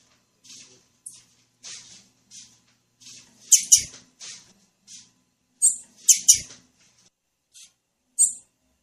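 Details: Female blue-black grassquit (Volatinia jacarina) call, used to prompt males to sing: thin, high chips, singly or in quick pairs, roughly one every half-second to second, some sharper and louder.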